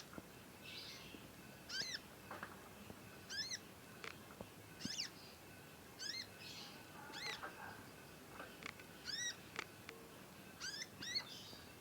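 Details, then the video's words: A young conin in full voice as it learns its song: a long series of bright, harmonic upsweeping-then-falling chirps, single or paired, roughly every second, against a hissy background. "ANAKAN CONIN, NYECET PANJANG BELAJAR BUNYI & GACOR"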